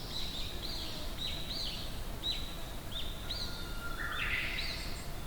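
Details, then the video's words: Several birds chirp in quick, high, downslurred notes, a few per second, with a brief buzzy trill near the end over a steady low wind-like rumble, in the forest by Iwato Shrine, Unzen, Nagasaki, Japan, on a June daytime. "Birds chirping in the woods"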